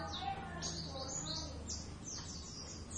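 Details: Practice duet from two Javan Oriental white-eyes, busy 'gacor ngeriwik' chattering: a fast series of high, sharp, downslurred chirps repeated several times a second, with faint speech behind.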